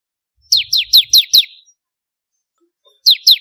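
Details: High, downslurred chips from a bar-winged prinia, a bird for contest training, five in a quick burst, a pause, then three more starting, with a few faint low bumps underneath.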